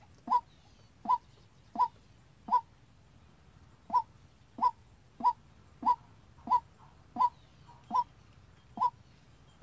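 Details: White-breasted Waterhen kept as a trapping decoy, practising calling unprompted: loud, clipped, nasal kwak notes repeated steadily at roughly one per second, with quiet low rumble beneath.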